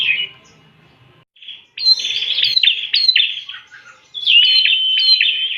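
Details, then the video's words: Bar-winged prinia singing as a lure: a short chirp, then pulsing buzzy notes, then a long whistle laced with rapid ticks near the end. "pancingan burung prenjak"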